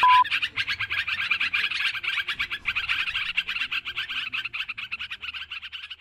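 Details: Sooty-headed bulbuls calling busily in a recording used to lure birds: packed, rapid chattering notes from many overlapping birds, steady throughout and thinning slightly toward the end.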